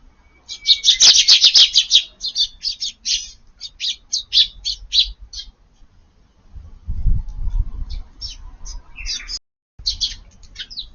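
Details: Eurasian tree sparrows feeding in a garden at midday on 20 June as light rain falls, giving rapid bursts of short, high chirps, densest at the start, then steady repeated twitters with a brief low rumble midway.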